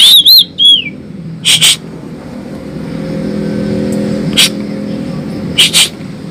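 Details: An Asian pied starling (Gracupica contra) sings a few clear, arching whistles, then loud, harsh bursts at irregular gaps, over a low engine rumble.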